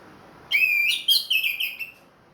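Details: Orange-headed thrush of the Ring Kresek type, kept in captivity and back in song after moulting, gives one loud whistled phrase of rich, slurred notes that run together and then fade over about a second and a half.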